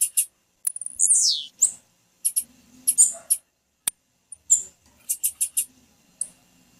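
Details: Female blue-black grassquit calling, a call meant to excite males into singing for song tournaments; scattered sharp, very high chips in irregular bursts, with one longer slurred note sweeping downward early on, and a faint low hum beneath.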